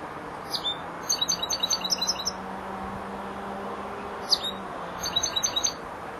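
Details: Young European goldfinch, four months old, practising song phrases: clusters of quick high metallic chirps in two bursts separated by a pause, a single sharp note between them, over a faint low hum.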